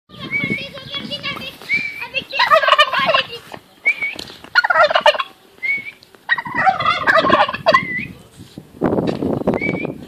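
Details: Turkey gobbling in loud bursts of rapid, rattling, bubbling notes, repeated several times, with thin high whistled notes between bursts and low rumbling background noise.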